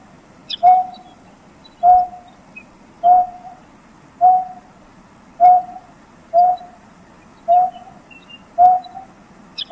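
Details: Greater painted-snipe in Taiwan giving a series of soft, low hoots, one about every second, steady and even, over a faint low rumble with a few distant high bird notes.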